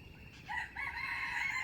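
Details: Trapping-decoy wild chicken, recorded 05/07/2025, in a brief crow fragment: a hoarse, rising, drawn-out note that begins abruptly and holds strongly to the end over low background noise.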